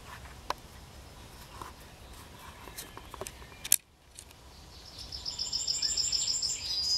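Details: Yellowhammer singing at the edge of Kabaty forest: after quiet background with a few clicks, a fast series of high repeated notes begins near the end, leading into a drawn-out final note.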